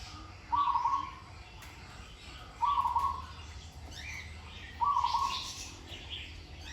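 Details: Zebra dove under ongoing training, sweet-voiced with well-paced phrasing, gives three rapid trilled coo bursts at steady intervals of roughly two seconds, each ending in a softer drawn-out tail; other small birds chirp faintly in the background.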